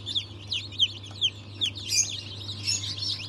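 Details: Newly hatched chicks of Cream Legbar, Australorp and Ayam Cemani breeds, hatched 07.02.2023; distinct shrill falling peeps roughly every half second, then a denser burst of cheeping, over a steady hum.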